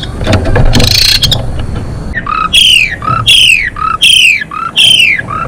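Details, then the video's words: Female Asian pied starling singing to bring males into breeding condition: loud harsh squawks sliding downward, each followed by a lower short note, repeated about every 0.8 seconds after an opening burst of noisy clatter. "JALAK SUREN BETINA GACOR MOMPA COCOK BUAT NAIKIN BIR4HI JANTAN"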